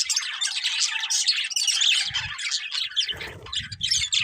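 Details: Colourful budgerigars, a breeding pair, giving a loud run of scratchy chirps and squawks in quick succession, with low rumbling knocks toward the end.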